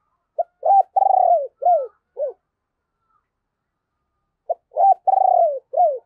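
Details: Spotted dove used as a decoy, calling in a deep, hoarse voice to attract wild doves. Two coo phrases are separated by a pause of about two seconds, each a rapid run of burry notes ending in falling slurs.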